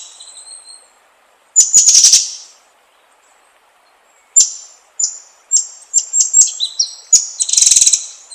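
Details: White-rumped shama song played as a lure to provoke other shamas into singing. Loud, varied phrases of clear high whistles, short rising and falling notes, and harsh raspy bursts, separated by pauses of about a second or more.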